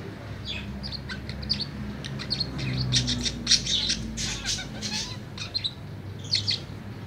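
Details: Afternoon song of a tame budgerigar: scratchy high chirps and short squawky notes in irregular bursts, louder in the middle, over a low background hum.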